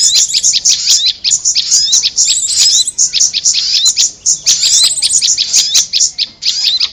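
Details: Prinia and korlap lure sound: insistent high chirps in rapid bursts, with occasional rising whistled notes and short pauses between bursts.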